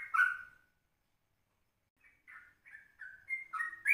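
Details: Yellow-vented bulbul (trucukan) singing in an early morning recording made at 04:30, used as a lure for other birds: a loud burst of warbling notes, a pause, then a run of short bubbly whistled phrases.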